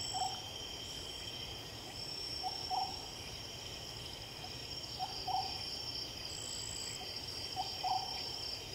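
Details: Oriental scops owl at night: short hollow low-pitched phrases, each a lead note followed by two quick notes, repeated about every two and a half seconds, over steady high-pitched insect trilling.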